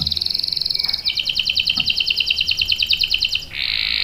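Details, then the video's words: Trilling canary song with long rolls for prompting and tutoring young birds: a fast high trill, then a two-layered pulsing roll about eight beats a second, closing on a steady buzzy trill. "KENARI GACOR NGEROL panjang bagus untuk PANCINGAN dan MASTERAN paud | CANARY SINGING"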